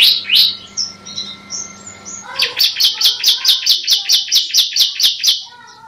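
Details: Masteran song of a ciblek, the bar-winged prinia: scattered thin whistles, then an even, emphatic string of about fifteen sharp chirps, each dropping in pitch, spaced roughly a fifth of a second apart.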